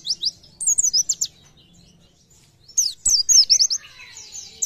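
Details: Pleci, the Oriental white-eye, singing gacor with nembak phrases: two bursts of sharp, high, steeply slurred notes separated by a quiet gap, with a click near three seconds.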